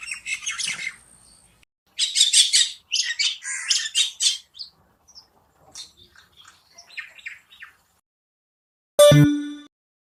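Common myna giving harsh, squawking chatter in rapid bursts for about eight seconds, then a single loud thud with a brief tone.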